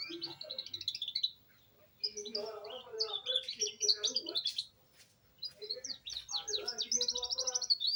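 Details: A young canary starts to develop its rolling song. It gives high chattering phrases and fast repeated notes in two-second bursts, separated by brief silences.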